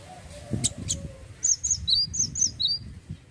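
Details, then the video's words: Male cinereous tit (gelatik batu) singing loudly in the ngeplonk style: after a few faint chirps, about five quick two-note phrases, a high whistled note dropping to a lower one, over a low rumbling background. "GELATIK BATU JANTAN LAGI ONFIRE...GACOR NGEPLONK"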